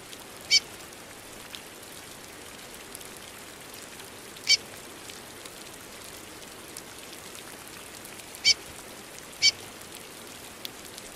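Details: Female curió calling and peeping in the rain, four short high chirps, the first three evenly spaced about four seconds apart and the last one quickly after, over continuous rain.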